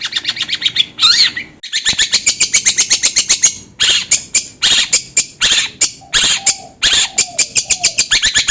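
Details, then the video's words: Long-tailed shrike lure song for prompting other birds to sing: long, rapid series of scratchy, buzzy pulses several per second, with a few soft, lower whistled slurs woven in near the end. "PANCINGAN CENDET AGAR CEPAT gacor"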